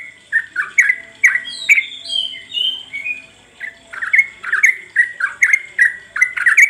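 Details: Sooty-headed bulbul song played as a lure to get birds singing: lively, chirpy notes rattle out in quick sequence, broken by a short warbled, sliding phrase midway, then the rapid chatter resumes.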